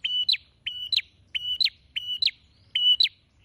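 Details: Prinia in full voice with its beak gaping wide, giving a rapid series of five identical phrases. Each is a short, even, high whistle snapped off by two sharp descending chips, with barely a pause between them.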